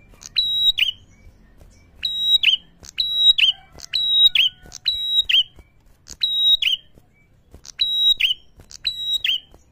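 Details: Prinia; call; provoking other prinias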